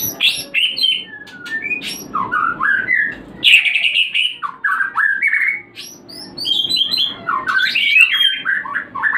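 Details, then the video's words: White-rumped shama song played to stimulate breeding birds: a rich, rapid medley of varied whistles, chirps and slurred notes jumping between pitches, with no pause. "Pancingan untuk burung Murai Batu Breeding / menaikkan birahi"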